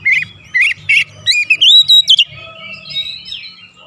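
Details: Oriental magpie-robin song used as a lure to stir up excitement: a loud series of short, rising whistled notes, then a quick run of higher sliding whistles, fading into softer warbling with a faint low hum beneath.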